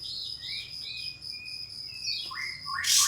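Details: Pied fantail singing as a lure to call a rival and make it spread its tail: a run of thin whistled notes that rise and fall, then a quick descending sweep. A steady high insect drone and a sharp noise burst at the end.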